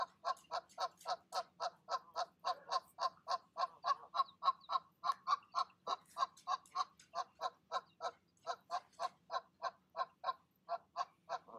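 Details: Mother goose calling her goslings down from the nest for their leap, evening of 12 05 20; a fast, steady run of short nasal honks, about three or four each second, with no break for nearly twelve seconds.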